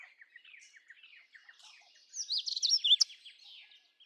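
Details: Indian robin song: soft, faint chattering notes lead into a louder, rapid phrase of twisting whistled notes near the middle, which then fades to quiet ticks.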